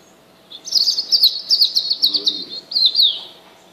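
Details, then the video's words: European robin singing: a rapid warbling phrase of high, thin, tumbling notes lasting nearly three seconds, with trills and slurred twitters, over a quiet background hiss. "Κοκκινολαιμης. Robin Singing"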